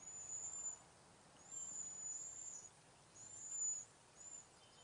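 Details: Cedar waxwing flock in a backyard, passing berries and insects: very high, thin, drawn-out whistled notes given in short bursts about every one and a half seconds, with quiet gaps between.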